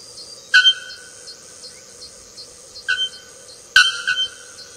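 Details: Bare-throated bellbird, famed for a metallic song that carries over long distances; three sharp, loud, anvil-like clangs, the last one doubled, over a constant high-pitched ringing background.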